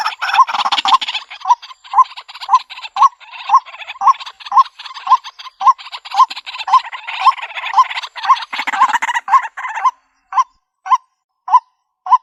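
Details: Repeated calls of the white-breasted waterhen, used as a lure for trapping birds in the country: a steady train of hoarse croaks about two per second with scratchy overtones, thinning out near the end to a few spaced notes.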